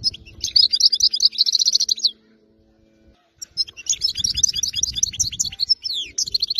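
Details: European goldfinch, a wild-caught bird from area 86, singing without mistakes: two bursts of fast liquid twittering and rolling trills separated by a brief pause, some low rumbling noise beneath.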